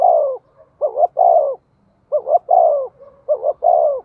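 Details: Spotted dove used as a decoy, calling to draw in wild doves. It gives repeated phrases of two quick clipped notes and then a long, falling, hollow coo, about once every one and a half seconds. There is little background noise.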